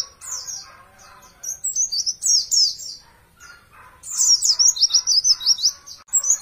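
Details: Oriental white-eye (Zosterops palpebrosus) champion song used as a training recording: very high, rapid twittering warble in two bursts of quick slurred chirps with a brief pause between.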